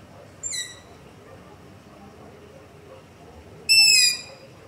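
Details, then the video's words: Two high, squeaky begging screeches from a long-eared owl calling at night near a house, about three seconds apart, the second much louder. Recorded with a ZOOM H5 and LOM Usi Pro; faint hiss between calls. "Long-Eared Owl - Begging Call"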